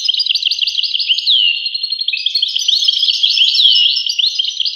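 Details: Continuous goldfinch song, European species: high tinkling chatter of quick twittered notes mixed with drawn-out down-slurred whistles, steady and loud throughout.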